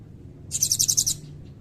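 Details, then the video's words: Blue-crowned hanging parrot giving a short, shrill, high trill of about six quick pulses in cililin style, over faint low background hum. "Burung Serindit Gacor Nembak Isian Cililin Panjang"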